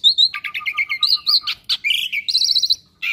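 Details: Kept Asian pied starling, known for copying other birds' voices, gives repeated paired chirps over a steady lower whistle, then buzzy trilled phrases and a final high warble.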